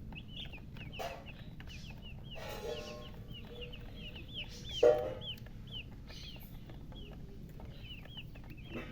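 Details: Just-born baby chickens peeping in quick series of high, falling chirps, a few callers overlapping, with a brief clatter midway and a constant low hum underneath.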